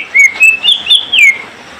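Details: Brief warbled phrase from a greater green leafbird being matched with a mate: four or five smooth whistled notes gliding up and down, ending in a falling slur.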